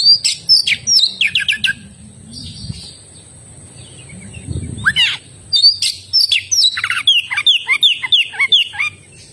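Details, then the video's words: Oriental magpie-robin song in two bouts: rapid whistled and scratchy phrases, a pause with a low murmur, then a long run of repeated descending chirps and slurred whistles over a steady high hum. "suara burung kacer gacor"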